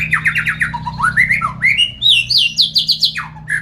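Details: Nine-month-old captive Oriental magpie-robin filmed for an online bird-song contest, singing a rich, varied run of quick chirps, slurred rising whistles and bright trilled notes, changing phrase every half second over a faint indoor hum.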